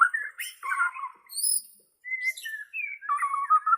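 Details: Bornean white-rumped shama singing, a recording for training caged birds: harsh buzzy chatter, a brief pause, then clear whistled notes and a warbling phrase.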